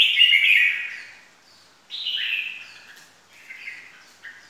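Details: Red-whiskered bulbul call used as a trapping lure: three slurred whistled phrases, the first loudest, each sliding downward, separated by short pauses.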